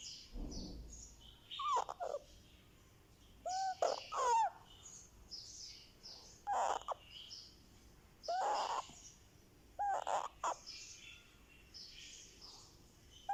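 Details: Young Indian ringneck parakeet, a pet baby, making happy sounds: soft chirps and short squeaky notes with bent, rising and falling pitch. They come in small clusters about every two seconds in a quiet room.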